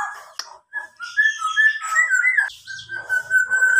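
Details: Kept local black-naped oriole, tame and in full voice, copying a police siren with long level and gently wavering whistles, mixed with scratchy chatter and a brief sharp click near the start.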